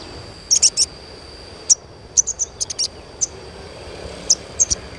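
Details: Training chirps of the Asian pied starling for stimulating young birds: sharp high tweets in small groups of two or three, separated by pauses, above a constant electronic whine.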